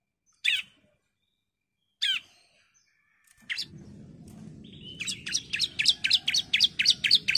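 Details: Female bar-winged prinia calling the male: two lone, sharp chirps with long gaps between them, then a faint murmur, then a fast run of high, zigzagging chirps.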